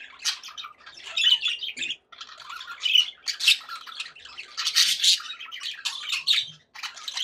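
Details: Happy budgies in a room give rapid, raspy chatter broken by sharp squawks and short whistled notes, coming in uneven bursts with a short gap near two seconds.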